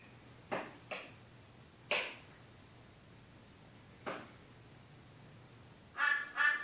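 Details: Crow attacking its own reflection: four faint, distant harsh calls spaced irregularly, then two loud, raspy caws in quick succession at the end, over a quiet background hum.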